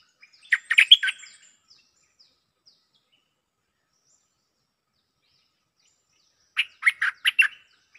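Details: Cream-vented bulbul decoy bird in a back-and-forth with a resident bird: two bursts of rapid, chattering chirps about six seconds apart, with near silence between them.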